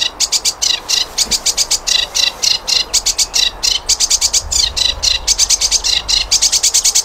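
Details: Flycatcher song used to tutor other birds: a continuous run of quick, sharp chips in tight clusters, bright and high, with a thin sustained whistle toward the end.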